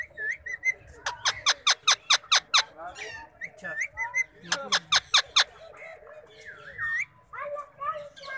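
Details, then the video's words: Indian ringneck parrot talking, producing a fast run of loud, harsh, evenly spaced bursts with speech-like squawks and short whistled notes between them. "Amazing Talking Parrot || Indian Ringneck Parrot &talking"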